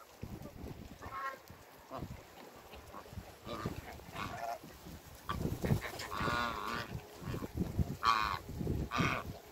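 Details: A couple of African geese on a farm calling. Loud, nasal, harmonic-rich honks, mostly in the second half, with scattered shorter calls. Heavy rustling and knocking background noise throughout.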